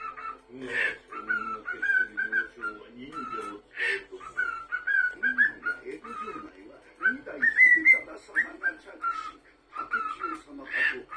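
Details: Pet cockatiel whistling indoors while an anime plays on television: clear whistled phrases, some flat and some rising, repeated through the clip over steady Japanese dialogue from the show.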